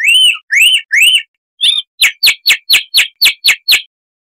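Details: Rough-voiced chalk-browed mockingbird song meant for training cage birds: three arched whistled notes, a short squeak, then a steady series of sharp clipped notes.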